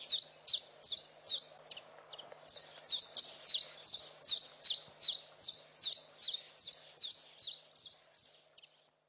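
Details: Saker falcon chicks calling at their nest in Hungary on 11 May 2012, captured by a webcam: a long, even run of shrill, downslurred squeals, roughly two or three per second, fading at the end over a faint electrical hum.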